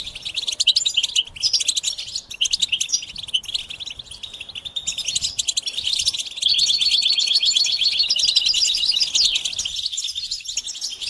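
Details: European goldfinches twittering together in a stimulation session of mating and readiness calls: a fast, buzzy, shimmering chatter that grows fuller after six seconds into a dense rolling trill, with a short lull near ten seconds.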